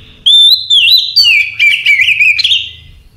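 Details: Night song of an Oriental magpie-robin: a steady whistled opening note followed by a busy two-second stream of slurred warbles, buzzy trills and high sharp chips. A quiet low hum runs through.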